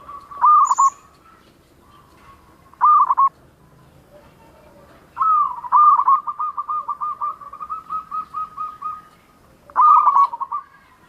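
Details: Zebra dove of local stock, singing freely with a distinctive tone: short loud rolled coo phrases, then a long even series of clipped hollow notes for about four seconds, ending in another rolling burst.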